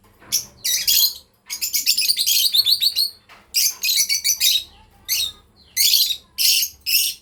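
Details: Chirping from a breeding pair of lovebirds: a long run of rapid, scratchy high notes in a chattering string, then separate sharp chirps spaced apart.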